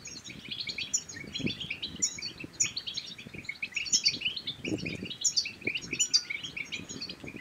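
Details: Goldfinch bitbita song used to stimulate silent goldfinches to sing and breed: continuous rapid twittered phrases with bright sharp notes recurring about every second, over faint low background rumble.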